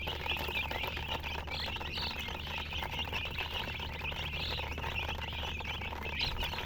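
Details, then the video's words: Steady stream of high chicken chirps, many birds peeping at once in a thin busy chorus, with a few sharper, higher peeps rising above it now and then against a faint low hum. "silly chicken chirping sounds"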